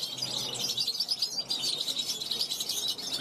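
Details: European goldfinch youngster of 2021, kept on a balcony, calling at wild goldfinches passing by; rapid liquid twitters and buzzy high notes pouring out in a busy, unbroken stream.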